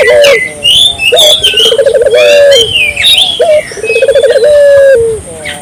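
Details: Barbary dove calling eagerly, meant to lure local doves into calling too: two long, low, trilled coos with a stuttering start and steady drawn tail, backed by sharp high chirps and whistles from other birds.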